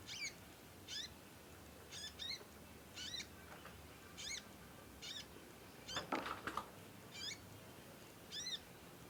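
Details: Young conin chirping at length while learning to sing, singing vigorously, suited for song tutoring; about ten regular high descending chirps with one brief burst of rustling noise midway.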